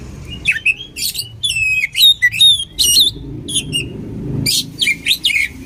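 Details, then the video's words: Oriental magpie-robin combination song for training other birds: fast, jerky bursts of sweeping whistles and grating notes, about two to three per second. Some low rumbling background noise sits beneath. "SUARA KACER KOMBINASI AMPUH UNTUK MELATIH MENTAL KACER"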